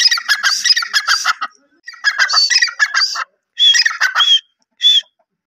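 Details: Grey francolin uttering dense, chattering call phrases, then after pauses several short bursts each ending in a clean whistled note.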